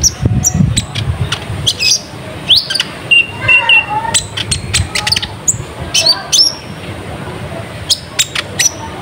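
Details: Van Hasselt's sunbird lure song used to attract wild birds: dense high chirps and rising whistles, with a brief lower warbling phrase in the middle, over faint background rumble.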